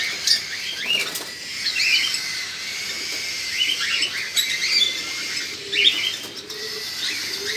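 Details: Cockatiel (Nymphicus hollandicus), begging call: chicks begging to be fed.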